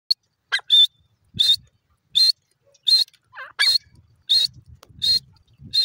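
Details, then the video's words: Black francolin (teetar), with Sindhi and Irani teetar named: harsh, buzzy bursts repeated about every half second to second, in an uneven series, with faint low rustling between calls. "teeter bird ki 1 houre awaz,sindhi teeter,irani teeter awaz"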